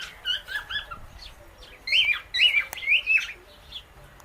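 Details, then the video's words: Indian ringneck parakeet kept as a pet, eating guava seeds beside an alexandrine parrot; soft chirps give way to louder, bending whistled notes in quick succession, with a faint tap in the middle. "Parrot Natural Clicking Sounds"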